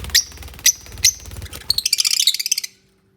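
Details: Lovebirds cuddling and building their nest: three sharp high chirps spaced half a second apart, then a quick run of about a dozen rapid twittering notes that stops abruptly.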